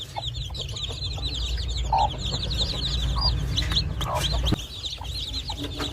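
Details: Chicks cheep constantly in high, thin notes while playing around their mother hen on a poultry farm; a few lower clucks cut in, over a low droning hum.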